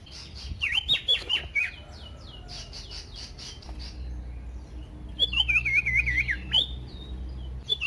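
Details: Common iora song used to make other ioras sing: a fast string of whistled notes at first, a quieter pause, then a loud wavering, warbled trill of looping notes.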